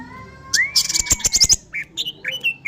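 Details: Orange-headed thrush, 'teler pulen' style song: a long rising whistle, then a burst of rapid high clicking notes, followed by short sharp chirped phrases at varying pitches.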